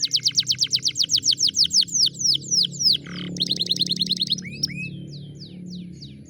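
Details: Canary song used as a lure to make a canary that has gone quiet start singing: a rapid series of loud downward-slurred whistles, then a short buzzy rattle, a fast even trill, and scattered curving high notes.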